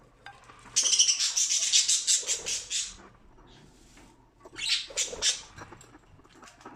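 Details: Pet budgerigars at feeding time eating a millet treat from a new dish; two bursts of rapid high chirpy chatter, each a few seconds long, with soft pecking and clicking between them.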